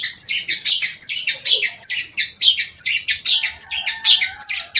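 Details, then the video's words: Long-tailed shrike in energetic song, giving a rapid, even series of rasping notes, each tipped with a thin high whistle, with a soft lower warbling line in the background. "cendet gacor"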